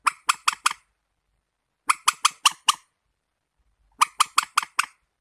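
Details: Warbler chattering in rapid bursts of four to five rasping notes, each burst separated by about a second of quiet.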